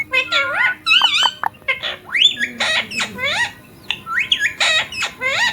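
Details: A talking ringneck parrot, said to speak words like mummy and papa. Dense strings of bright rising and falling squawks and chirps follow one another closely for several seconds.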